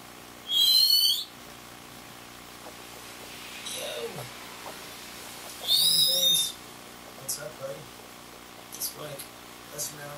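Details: Varied thrush singing in the rain: two long, buzzy, quavering whistles about five seconds apart, with faint chips and a low voice between them.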